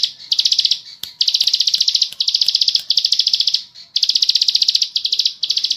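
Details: Ciblek sawah, the bar-winged prinia, singing its fast ngebren trill: rapid buzzy bursts of tightly packed ticking notes lasting about a second each, separated by brief gaps.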